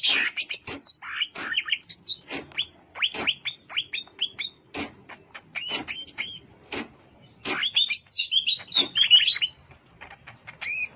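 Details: At Alas Purwo, Banyuwangi, a wild greater green leafbird delivers a long varied medley of quick chips, whistled slurs and high twittering notes, with short gaps between bursts.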